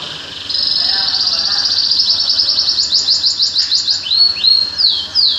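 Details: Songbird singing loudly: a long, fast, high-pitched trill of repeated sharp notes that speeds into bright downslurred whistles, over a steady low hum and background noise.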